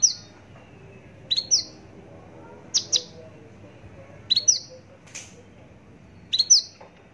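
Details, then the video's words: Javan bush lark giving high, sharp two-part chirps, each rising then dropping slightly, repeated about every one and a half seconds against a quiet background. "branjangan javanica"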